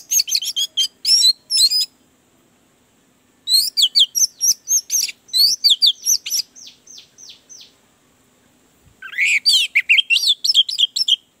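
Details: Orange-headed thrush song for stimulating a reluctant singer: long bursts of rapid high chirps and slurred notes, a run of softer descending notes midway, a pause of about two seconds, then a final rich, busy outburst.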